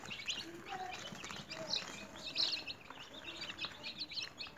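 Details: Home-raised newly hatched chicks in a cage chirp busily, a flock of thin, high peeps in quick irregular succession, some louder notes standing out, over light rustling.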